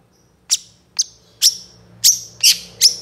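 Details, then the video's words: Young moulting long-tailed shrike from a master recording made for luring, full isian style: six separate sharp, explosive high notes spaced about half a second apart, each ending in a short thin whistle. "CENDET GACOR FULL ISIAN ❗️ MASTERAN CENDET MABUNG MUDA GACOR FULL ISIAN"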